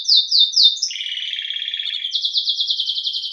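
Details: Canário-belga, the domestic canary also called canário-do-reino, delivers three quick descending slurred notes, then a rapid lower warbling roll, then a fast run of high repeated slurs.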